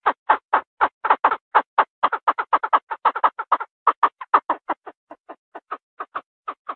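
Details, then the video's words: Chinese francolin giving a fast run of short, harsh, clucking notes, about four a second, slowing and growing fainter toward the end. "Tiếng Đa Đa gọi trống, tiếng gà gô gọi trống"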